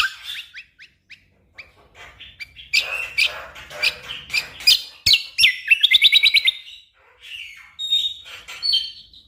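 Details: Orange-spotted bulbul singing a long busy master song for competition birds: scattered quiet chips building into dense loud warbling, a fast stuttered run of bright notes, then a few sliding whistles.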